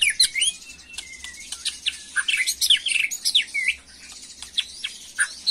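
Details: Young white-rumped shama in an agitated state, singing in the macul style: dense, fast mix of sharp whistles, chirps and rising notes, tumbling on without pause over a faint low hum.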